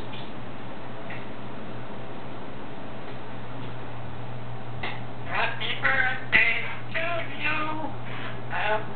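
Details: Pet African grey parrot singing Happy Birthday to himself: after a quiet start, a run of harmonic, voice-like syllables in the second half, rising and falling in quick sung phrases over a steady low hum.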